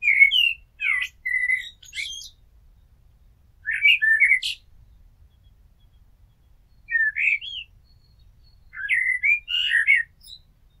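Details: A blackbird's song in four separate phrases spread over eleven seconds, each a short run of mellow fluted notes finished with scratchy, very high squeaky twitters, with quiet gaps between.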